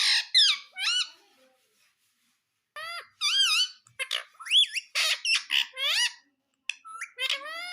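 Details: Pet parrot talking indoors: bursts of high, wavering, squeaky syllables in quick strings, each a bent, warbling note, with short pauses between phrases.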